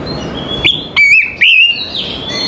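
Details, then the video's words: Morning song of an Oriental magpie-robin, a few clear whistled notes, some sliding and warbled, over faint low background noise. "TERAPI KACER PAGI HARI"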